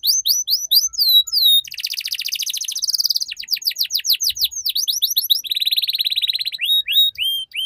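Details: Canary tutor song for young birds learning the ngeriwik sound: high sweeping whistles, a dense buzzy roll, a run of steep downward strokes, then a trill and rising notes, clean background.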